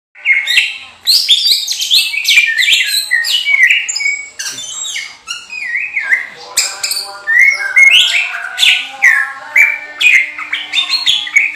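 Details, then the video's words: A greater green leafbird (Chloropsis sonnerati) sings at night a fast, unbroken stream of sweet whistles, chattering trills and squeaky high notes, varied, with no pauses. "CUCAK IJO DEXER GACOR JAMTROK MALAM HARI"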